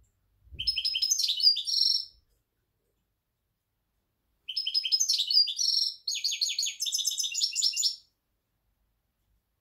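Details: European goldfinch, recorded 23 October 2019, singing in two high bursts of rapid, liquid twittering mixed with buzzy trills, the second longer, separated by a few seconds of quiet.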